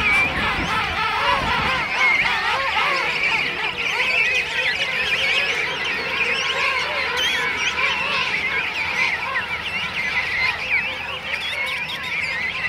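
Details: A huge colony of thousands of King Penguins at Right Whale Bay, South Georgia Island, on Christmas morning 2008: dense overlapping trumpeting calls with wavering, warbling pitch, many birds calling at once, steady throughout.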